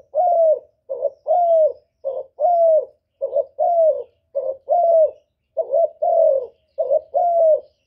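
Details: Spotted dove calling in a steady series of mellow low coos, a brief clipped note followed by a longer falling one, the pair repeated roughly every second without break, nothing else audible.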